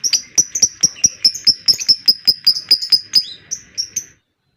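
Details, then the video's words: Lovebird ngekek used to draw other lovebirds into long singing: a quick, even rattle of piercing high chirps, over two per second, slowing at the end before falling silent. "SEMUA LOVEBIRD NGEKEK PANJANG, dengar suara pancingan ini Lovebird lain ikut Gacor Ngekek panjang"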